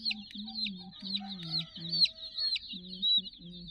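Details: Peeping chicken chicks, about sixty of them at play with a puppy teddy toy, make a dense high chorus with a few louder chirps, over a wavering low hum in short segments.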